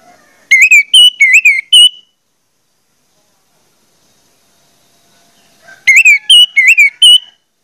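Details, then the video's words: Orange-headed thrush (anis merah) lure song, played to prompt other thrushes to start singing: two identical bursts of four clear, slurred whistled notes, each burst about 1.5 seconds long, separated by roughly four seconds of silence. "pancingan anis merah bikin anis merah lain cepat ngeplong"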